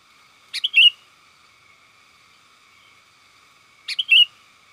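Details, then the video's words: Sooty-headed bulbul calling companions, a lure call for wild birds: two short bright phrases about three seconds apart, each a quick sharp chirp followed by a rising, liquid whistled note, over a faint steady background hum. "Suara burung kutilang gacor panggil kawan"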